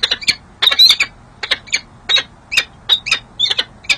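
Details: Pair of peregrine falcons on a city hall building ledge in San Jose, winter 2024, female flirting with the male; loud clustered double and triple chipping notes, bursts of rapid harsh calls with brief gaps.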